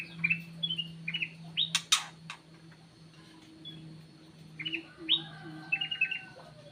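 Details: Aviary kutilang emas, also called cucak emas, giving a lure call of short whistled and chirped notes in clusters, broken by sharp clicks, over a low constant hum.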